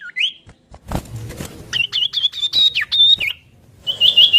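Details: Common iora, known locally as sirtu or cipoh, giving ocehan-style whistle variations. Rising and falling whistles are broken by loud clattering knocks, then a short trill of quick repeated notes at the end.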